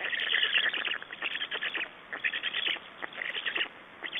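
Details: Nest exchange and feeding at an Estonian black stork nest, 6 June 2011: scratchy, hissing call bursts in quick pulses, broken by short pauses, with a brief lull near the middle.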